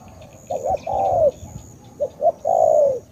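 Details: 'Tú' style coo of a spotted dove from Cà Mau, Vietnam: two phrases, each quick soft hoots followed by a sustained mellow coo that drifts down at the end, with light background hiss.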